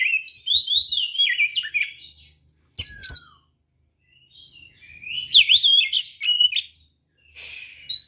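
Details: Fighting song of a white-rumped shama, used to provoke other birds: loud varied whistled phrases with sharp harsh bursts, separated by short silences, ending in a bright high note.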